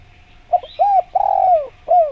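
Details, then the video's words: Spotted dove lure cooing, intended to get other doves to respond: a quick double note, then an arched coo, a long falling coo, and a final sliding coo, soft and mellow. "Bikin Derkuku Nyaut Bunyi"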